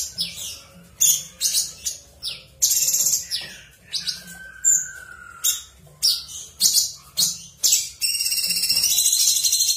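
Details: Cucak cungkok singing in ngebren style, a continuous bout of sharp, high chirps and buzzy bursts in rapid succession, with one long steady whistle near the middle and a dense rasping burst at the end.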